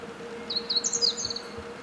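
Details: Meadow bunting song, one rapid phrase of thin, high twittering notes with a sweeping squeak in the middle and a brief trill at the end, against a quiet constant hum.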